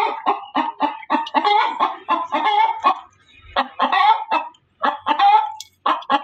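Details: Hen cackling loudly: a rapid series of harsh, nasal clucks, about a dozen in six seconds, with brief pauses between bursts; no other sounds stand out.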